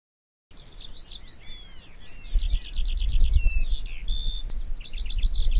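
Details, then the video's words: A singing Eurasian Skylark of Central European meadows and fields, the male's spring-summer song, pours out a fast, unbroken stream of high chirps, rolling trills and thin whistles, with a low rumble of wind underneath. "Die singenden Feldlerchen sind Charaktervögel unserer Wiesen und Felder."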